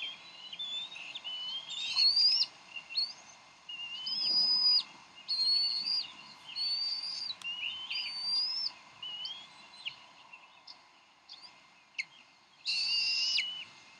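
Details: Bald eagles at the Decorah nest on 30 May 2012, parents squabbling over a fish before the mother feeds the eaglet; high, thin whistled chittering in bursts of rising and falling piping notes, with a few louder sharp cries and short pauses between.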